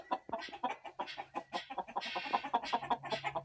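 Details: Black Australorp mother hen, an Australian breed, recorded 14 September 2023: a fast, steady run of short, low clucks, about two or three a second, with faint high peeping and a low background hum.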